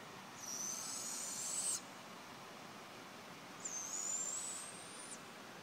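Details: A suspected barn owl calling at night gives two long, harsh, hissing screeches, each about a second and a half, a couple of seconds apart, over a quiet background.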